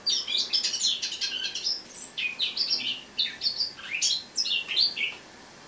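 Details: Eurasian blackcap in a cage indoors, singing on the morning of 1 October 2017 in autumn; fast scratchy chatter opening into a varied warble of high whistles and sliding notes, then fading to silence.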